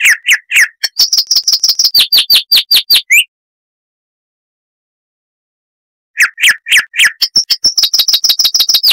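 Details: Chestnut-vented warbler (Sylvia subcaerulea) of southern African bush delivering two bursts of crystal-clear, fast repeated notes, alternating high thin whistles with lower sliding phrases, separated by a three-second silence.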